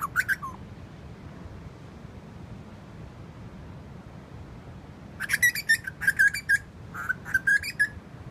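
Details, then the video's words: A bird sings at Burleigh Heads. One short whistle opens, then a long quiet gap. From about five seconds a quick run of short, bright whistled notes follows in two bursts. "Bird singing at Burleigh Heads"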